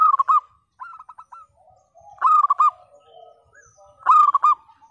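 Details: Frequently singing local zebra dove with a loud 'pecah' voice, used to get silent doves calling: three loud rippling coo phrases with a quieter answering phrase, clear and nearly noise-free.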